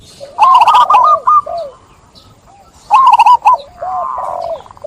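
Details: Zebra dove song in two loud bursts of quick, stuttering coo notes, each trailing into softer, lower falling coos from another dove.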